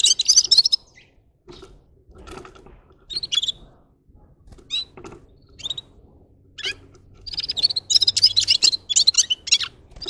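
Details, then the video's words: Red-fronted serin, locally called gulsir, singing in short, high, jingling bursts of twittering notes with quiet gaps between them. The loudest bursts come at the start and in the last three seconds. "Gulsir Singing (Seriniis pusillus) Пение Птицы (Yurok Qushi Red-capped signing) G'ir-G'ir"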